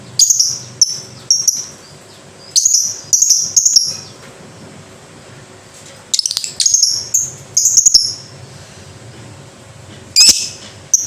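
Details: Lovebird, ngekek-style song recording. Shrill, high chirps come in short clusters spread across the recording, with quiet gaps between them and a faint hum behind.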